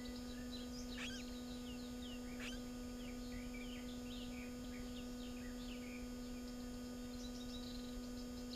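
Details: Garden warbler filmed near its nest in the breeding season, mid-June: quiet, fast, continuous twittering of short high chirps and slurred notes, with two sharper clicks early on, heard over a constant electrical hum.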